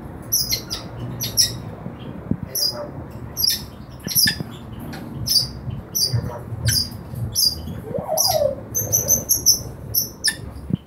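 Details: Four caged red-rumped parrots of colour mutations (lutino orange male, rubino orange female, opaline orange male, grey-green cinnamon female): sharp, very high chirps repeated irregularly about once a second, with a soft low hum underneath.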